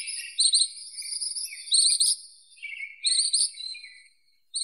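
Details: Ashy minivet (Pericrocotus divaricatus) song: high, metallic jingling trills in short bursts, several overlapping phrases that rise and fall, with brief pauses between bursts and no other clear sounds.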